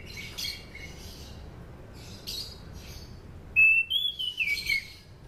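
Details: Orange-banded thrush singing, meant as a lure for training other kept thrushes: scratchy chirping notes in the first half, then a loud clear whistled phrase that rises and falls before trailing off, with low background hum.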